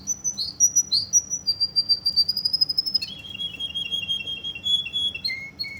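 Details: Canary of the Russian type from Kuwait delivering a rapid rhythmic chopping trill, then a long sustained high whistled roll that steps down in pitch twice, ending on a lower rolled note.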